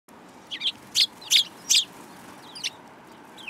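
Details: Sparrows on the front approach of a Tenmangu shrine, recorded 13 February 2022: a burst of five bright, high chirps in quick succession, then a pause and two more scattered chirps over a low steady background hum.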